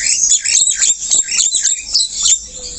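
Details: White-eyed black-winged starling in lively full song despite sitting low down: a continuous stream of sharp, high, squeaky and rasping notes, densely packed with no real pauses.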